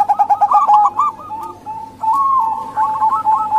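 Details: Female local zebra dove calling, used as a lure to draw hard-to-start males or wild doves: quick staccato cooing notes strung into bursts, broken by a short lull, then a brisk rippling run resumes.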